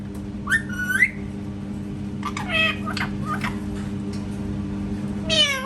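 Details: Pet parrot imitating a cat: a few drawn-out, meow-like calls rising then falling, scattered across the recording, over a steady low room hum.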